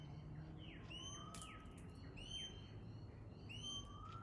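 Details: High, ringing whistles from a pale-headed rosella, each introduced by a quick downward slur, in three groups spaced evenly. A softer, lower whistle rises between them, and a brief crackle interrupts over a constant low hum.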